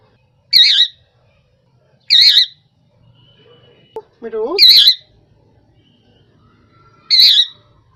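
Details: Rose-ringed parakeet (Indian ringneck) calling: four loud, shrill, wavering squawks at irregular intervals, plus a lower rising nasal note from another sound midway and faint ambient noise.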